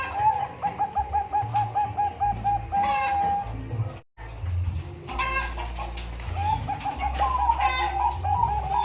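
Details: Bangkok-type zebra dove (perkutut) at umbaran delivering runs of quick, evenly spaced trilled coos, interrupted midway by a nearby chicken's loud crowing and clucking before the cooing resumes.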